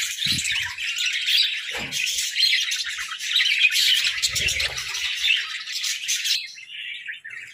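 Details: Playful pet budgerigars in a hut produce an unbroken stream of chirpy, scratchy warbling chatter that thins out near the end, with occasional brief low thuds from the birds moving about.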